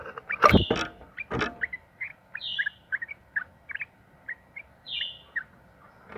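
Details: Yellow-vented bulbul (trucukan) singing the long 'ropel' style used as a lure: loud knocks open, then spaced short bright chirps and two high, slightly falling whistled slurs.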